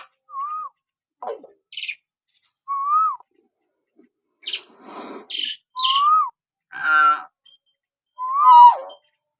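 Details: Common hill myna natural whistles used to provoke pet mynas into singing: repeated mellow, slightly rising-then-falling whistles interspersed with harsh squawks and nasal honking notes.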